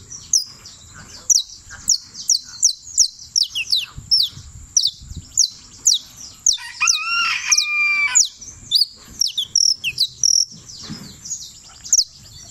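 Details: Champion saffron finch (canario criollo) from Turbo, Antioquia, pouring out steady rapid high chips that sweep down, briefly interrupted around midway by lower, harmonically rich tonal notes before the chipping resumes.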